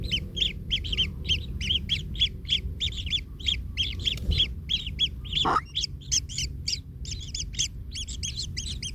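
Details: Young kingfisher in the nest after its parent trampled it, uttering quick rasping squeaks in a rapid series; a brief rising whine and a soft thump break in midway.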